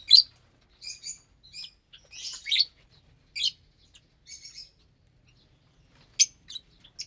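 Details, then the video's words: Lovebirds feeding on vegetables and grains on a Saturday morning; spaced, piercing high chirps and short buzzy squeaks separated by brief silences. "Lovebirds Meal Time"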